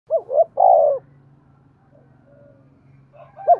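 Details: Spotted dove giving its luring coo, used to provoke decoy birds: a low phrase of two short hooting notes, then a longer slurred coo and a short ending note. Quiet gap with a faint low hum follows, and another phrase begins at the end.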